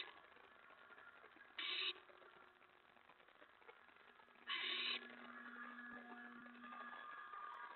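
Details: Pre-dawn mouse delivery at an owl nest, May 15, 2017, 4:46 AM: two separated harsh, hissing screeches about three seconds apart, with soft rustling and a faint steady tone in the background.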